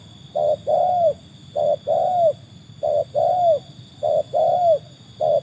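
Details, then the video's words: Trained tekukur tested against wild birds: repeated two-part coos, a short note then a longer arched one, about once a second, with steady high background hum. "kualitas burung tekukur ajaran sudah teruji oleh burung liar"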